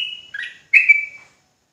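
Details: Sooty-headed bulbul from Java: a flat whistle, then a lower chirp, then a strong, slightly wavering fluty note that fades out.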